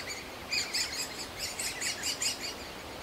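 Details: Begging of young great spotted woodpeckers in their nest hole in a large aspen, fed tirelessly by both parents; bright, high chirps come in quick bursts, several per second, with a light background hiss.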